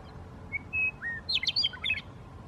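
A Western Meadowlark sings a flute-like phrase: two clear whistles, a lower slurred note, then a rapid jumble of bright gurgling notes, over faint background hiss.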